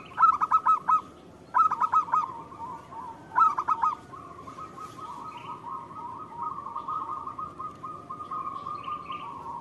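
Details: Active local zebra dove song, used as a lure that draws an immediate answer. Three bursts of rapid, ringing coo notes about two seconds apart, then a long, even, rolling trill held to the end.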